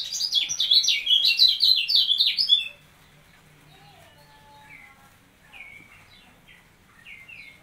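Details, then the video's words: A caged kecial kuning (white-eye), put alongside another bird as training, pours out rapid, high, jumbled twittering for over two seconds, then pauses before short downslurred whistled phrases return. "Melatih Mental Kecial Kuning Dengan Cara Di Tempel"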